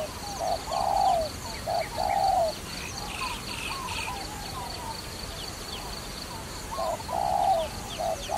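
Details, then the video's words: Dove used for trapping, giving low hollow coos: short notes alternating with longer, slightly falling ones, in loose bursts. Faint chirps from other birds sit higher above the cooing. "Wonderful Trapping Dove"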